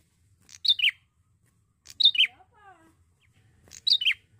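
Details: Lure song of a young male Bar-winged prinia, Indonesia: three bright, downward-slurred double chirps spaced evenly. A soft, lower falling whistle series appears between the second and third chirps.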